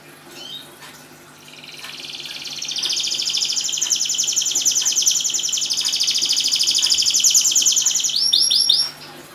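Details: Canary in full, steady song, played as a lure to get silent canaries singing: a long, rapid, rolling trill held for about six seconds, ending in a few quick downward-swept notes, over faint background hiss.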